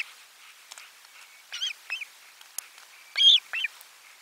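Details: Osprey at nest #4 during a lunchtime fish delivery on 12 July 2022: a few high, breathy whistled yelps in two short groups, the second louder, with faint ticking sounds between.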